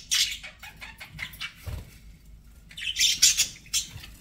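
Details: Domestic budgies give sharp, separate chirps and scratchy notes, then a closing flurry of louder squeaky chatter, with a faint low bump midway.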